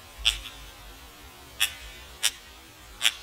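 A woodpecker strikes wood with four sharp, dry knocks at uneven gaps of about a second, over a faint steady hiss.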